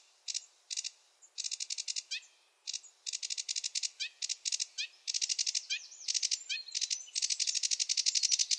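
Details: Sedge warbler singing a rushed, chattering song of varied phrases: bursts of harsh buzzy notes repeated quickly, broken by short pauses, with brief downslurred whistles slipped between the chatter; no other sounds.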